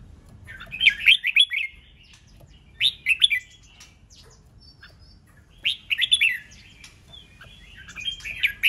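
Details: Red-whiskered bulbul giving 'ché nẹt' competitive song meant to provoke rival birds into singing and fighting: three bursts of quick, liquid warbled phrases separated by short quiet gaps, with faint twitters between.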